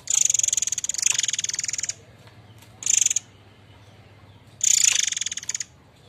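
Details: White-rumped shama, called murai air mancur, giving the harsh notes used for training other birds. Three coarse pulsed rattles: a long one of nearly two seconds, a short half-second burst, then another second-long rasp.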